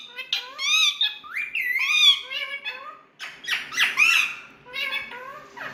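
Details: Indian parrots kept at home, chattering and talking: loud, nasal, harmonic squawks that bend up and down, several quick syllables then a brief gap before another burst, in a quiet indoor room.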